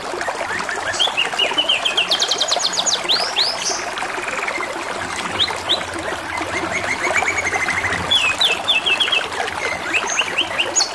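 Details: Canary song partly masked by constant gurgling water: bursts of rapid dry trills, quick looping whistled slurs and short repeated chirp series run through the whole stretch at a high pitch.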